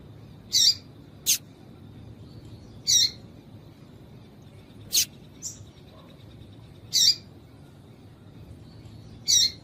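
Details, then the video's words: A female Yellow-bellied Seedeater calls to excite males before singing contests: high, clipped chirps about every two seconds, alternating between fuller buzzy notes and thin sharp ticks, with a faint steady background hum. "Piado de Fêmea de Papa capim para Esquentar Papa capim"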